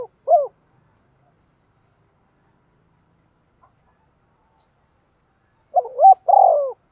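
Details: Spotted dove decoy cooing for wild birds: tail of one coo, a long silent pause, then a new low phrase with a stuttered start and a long husky note.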